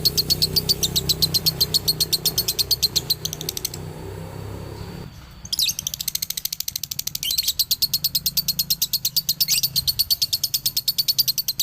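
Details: Male lovebird from Ciamis singing its dobelan song: fast, high, even chirps at about one and a half per second, a brief pause and scratchy break near midway, then the rapid chatter resumes steadily.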